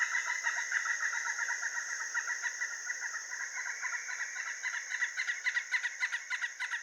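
Pileated Woodpecker giving a long, resonant series of quick wuk notes, about three or four a second, uneven in pitch, over a steady high-pitched hiss.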